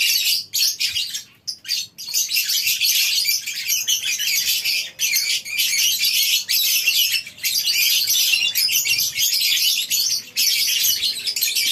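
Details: Morning in a lovebird colony aviary on a breeding farm, where a crowd of birds keeps up harsh, high, overlapping squawks and chirps almost without pause, with a few quick breaks early on.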